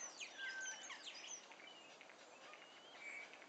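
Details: House sparrows chirping on the night of 16 April 2015 in a tall bamboo clump, bound together halfway up, used for nesting; blackbirds, starlings and a subdued crow also reportedly present. Dense overlapping high chirps and short whistles, busiest early, then thinner.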